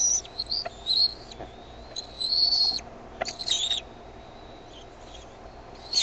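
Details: Bald eaglet begging at Decorah, 13 May 2015, evening, after the mother lands with food; piercing high whistled notes, some long and drawn out, others in sharp chittering clusters, separated by brief quiet spells.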